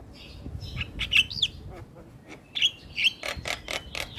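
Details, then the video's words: Energetic black-winged starling song, kept bird, used as a lure to prompt silent starlings to sing: harsh clicks and buzzy notes mixed with sliding whistles, loud bursts in irregular runs, faint low background noise. "Suara Asli Jalak Kebo gacor Full Manggut manggut Pas Buat Pancingan Jalak Bisu"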